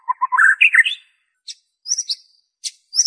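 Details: Pure shama song with no imitations, used to prompt kept birds into song: a quick tumbling run of whistled notes rising in pitch, then sparse high sharp notes and clicks.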